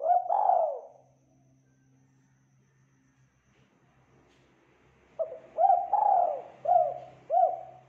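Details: Tekukur, the spotted dove, singing strongly on a training recording: a phrase ends in gliding coos, a low steady hum runs through a pause, then a new run of hooked coos swells and falls.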